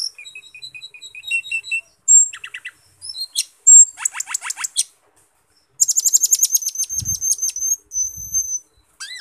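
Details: Loud-voiced Asian glossy starling (camperling) in gacor song, used as a lure to make birds sing. Varied high phrases: ticking note series, short trills, buzzy rattles, then a long rapid chatter with a thin whistle. Brief thumps are heard.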